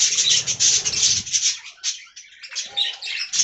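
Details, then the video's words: Colony budgies in an aviary give a steady wash of rapid, high chattering warbles, with fluttering and low rumbling early, thinning to scattered chirps. "Budgie Talking Compilation: Hilarious and Adorable Moments"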